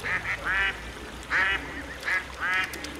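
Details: Whooper swan wintering in Olomouc, Czech Republic, giving loud, nasal, bugling honks in short bursts, about five calls within three seconds, some doubled, over a low steady background rumble.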